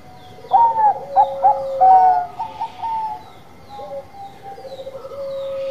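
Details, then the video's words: Zebra dove of the Bangkok perkutut type in full song: loud, bouncing staccato coos in quick succession, then softer repeated notes and a level, rattling trill at the close. "PERKUTUT BANGKOK GACOR"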